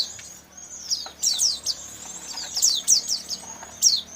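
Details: White-eyes in a lure recording used for catching white-eyes: high, thin chirps and sharp downslurred tweets in scattered bursts, some overlapping, over a faint background hiss.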